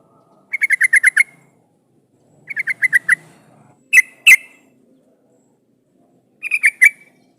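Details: Yellow-vented bulbul lure song to get other bulbuls answering: stuttering bursts of rapid bubbly notes, followed by two sharp separate notes and a final quick three-note phrase, with faint low background sound.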